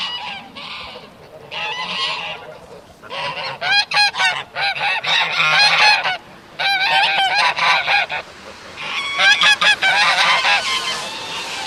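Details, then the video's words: Geese honking in loud, harsh bursts that come in clusters, with short gaps of quiet between the rounds of calling. "The sound of geese"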